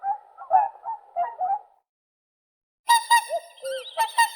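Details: Whooper swan: a cluster of nasal honks, then after a short silence a series of clear, ringing trumpet-like notes with bending lower calls between them.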